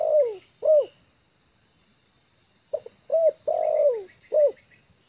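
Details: A trained spotted dove used as a lure sits at ease on open ground and coos. The clip opens with the end of one phrase, then after a pause a full phrase follows: brief note, curved coo, drawn-out descending croo and closing coo.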